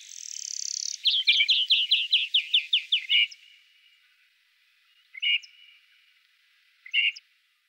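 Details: Great grey shrike in the Loonsche Land near the Efteling gives a long buzzy high note, then a rapid series of about ten sharp clipped chirps, followed by two short isolated calls after pauses.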